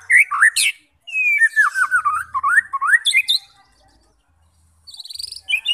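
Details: Rich white-rumped shama song meant to rouse fighting birds: loud sweeping whistles, then a long chain of fluid, rising and falling warbled notes, a short silence and a high rapid trill.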